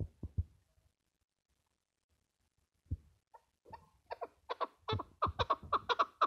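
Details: Chukar starting a run of harsh clucking notes that grow louder and quicker over the final seconds, after a few dull low thumps and a stretch of near silence.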